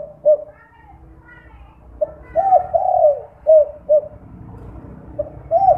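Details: Night-time 'kuk 2' lure call of a spotted dove (derkuku), used to prompt other doves to call; low mellow coos in irregular groups, one long falling coo among short ones, over a faint low rumble.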